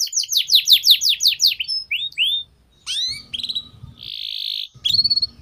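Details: Canary lure song meant to teach young canaries the ngeriwik sound: a fast burst of descending chirps, a few separate rising and falling whistles, a steady buzzy note, and a final trill, with faint low background hum.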